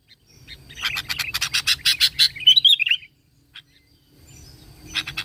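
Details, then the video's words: Sooty-headed bulbul singing a lure song meant to draw out other bulbuls. A fast run of scratchy, evenly repeated notes builds to a clear, warbling whistled flourish, then fades into quiet with a few faint notes. "PANCINGAN KUTILANG GACOR SUARA ASLI TANPA ISIAN 100% AMPUH MEMANCING BUNYI"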